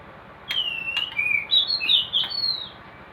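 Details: White-rumped shama in a hanging cage at a breeding setup gives a few long, clear whistled notes that slide up and down, with sharp clicks and a constant rumbling background noise.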